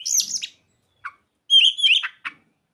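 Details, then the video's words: Oriental magpie-robin song with mimicked ciblek and sogon phrases: a bright, high jumble of chirps opens, then a few short notes and a shrill, fluttering run of whistles with sliding trills, ending on a brief chirp. "Kacer isian burung ciblek dan sogon"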